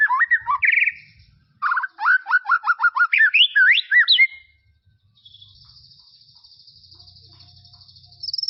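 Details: White-rumped shama in tropical forest: looping whistles, then a fast rhythmic run of clipped, descending notes and rising slurs. A long, thin, high buzzy note follows after a pause.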